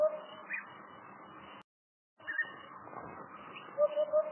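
Soft, low hoots from a hoopoe, the clearest a quick run of three near the end, over a steady hiss of background noise.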